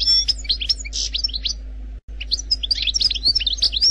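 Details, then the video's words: Algerian goldfinch, wild-type song without errors: high twittering notes and a short harsh buzzy burst, a brief break, then another rapid flurry of sharp chirps and slurred whistles over a low hum. "لغة الحسون الجزائري الخلوي بدون اخطاء Chant Chardonneret Algerie"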